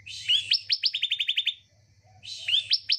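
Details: Bar-winged prinia song used as a lure to get a reluctant bird singing: a buzzy, rising opening slur, then about nine sharp, evenly spaced chipping notes. A second buzzy phrase starts near the end over a faint low hum.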